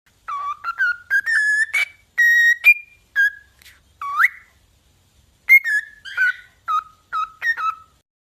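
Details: Pet cockatiels playing with their owner give clear whistled calls, some rising or bending, in quick bursts.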